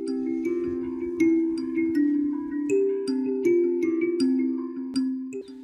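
Mallet-percussion music, marimba-like struck tones at a steady beat, with no animal sound.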